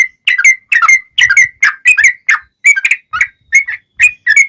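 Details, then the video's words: Sooty-headed bulbul singing vigorously, a lure meant to prompt other bulbuls to answer: a steady series of short bubbly whistled phrases, each dipping and rising, repeated about twice per second without pause. "SUARA trucukan gacor ROPEL PANJANG pancingan trucukan agar bunyi"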